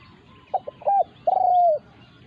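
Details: Spotted dove calling as a wild resident bird challenges a decoy: two quick soft notes, a short coo, then a long rolling coo that slides gently downward.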